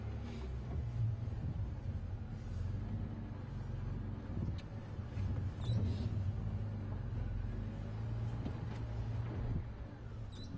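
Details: A steady low engine rumble from an idling vehicle, with faint clicks and knocks and no animal calls.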